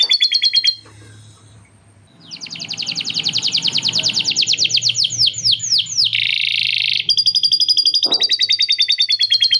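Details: Canary's long, steady song, filled with imitated lovebird chattering. A trill breaks off into a short quiet gap of faint background hiss, then a long rapid trill, a harsh buzzy rasp and further quick repeated notes.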